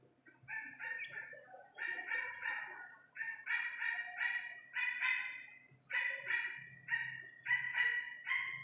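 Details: Iranian partridge chick, natural clear voice: repeated harsh, nasal bursts in rapid runs of three to four notes, each run about a second long, following one another steadily with brief gaps.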